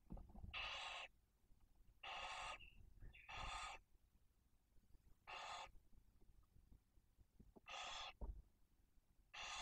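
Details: Barn owl at a nest with chicks one and four days old in Cabañeros National Park, Spain, during prey delivery. Six broad, rasping hisses of about half a second each, repeated roughly every one and a half seconds, with one brief thin whistle between them.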